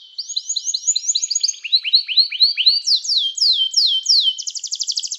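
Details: Canary song meant to call fellow canaries into singing, used in canary training. Tours of repeated curved whistles step through different pitches, then give higher swooping notes and finish on a fast buzzy trill.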